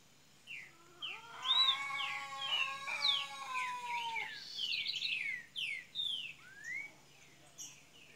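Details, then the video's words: Double-collared seedeater from Minas Gerais, Brazil, beginning to sing: quick high chirps and descending sweeps over a lower, steady, buzzy harmonic tone lasting several seconds, with soft hum behind. "coleira golinha de minas gerais abrindo canto !"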